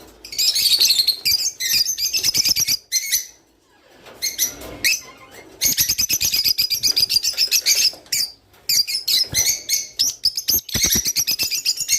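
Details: Rice finch song meant to trigger breeding: fast, repeated clicking chirps at several per second, gathered into long chattering runs with one quiet gap early on.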